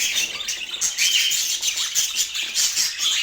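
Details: Portland pet budgerigars warble and chirp busily, mixing short whistled notes and rasping twitters in a dense high chorus with small pulses of loudness.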